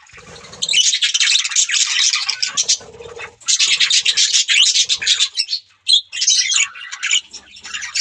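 Budgerigars chatter in dense, scratchy bursts of high chirps and warbles, with brief pauses between runs; several birds seem to call at once.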